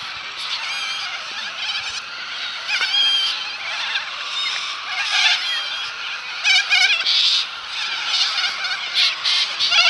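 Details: Cockatoos at the Balerine, Victoria, give harsh, raspy screeches in overlapping bursts. The grating calls come back and forth throughout, with several birds calling together and no other clear sounds.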